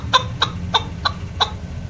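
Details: Female chukar partridge kept as a hunting lure, giving short sharp clucking notes, five in two seconds, each a brief bright click, over a steady low rumbling background noise.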